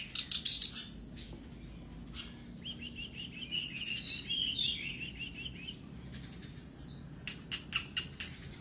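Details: Black-browed reed warbler in energetic, persistent song, played as therapy to get silent birds singing: scattered high chirps, then a fast warbling run of scratchy notes, with sharp ticking notes toward the end.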